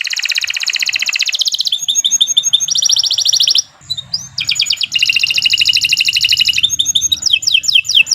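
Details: Canary song for encouraging caged birds to sing: rapid buzzy trills at high pitch, a short break, then more fast rattling phrases and repeated chirps.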